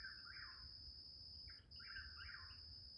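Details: Chuck-will's-widow calling at midnight, repeating its rolling, whistled 'chuck-will's-WID-ow' phrase, rising then dropping, over a steady high insect drone.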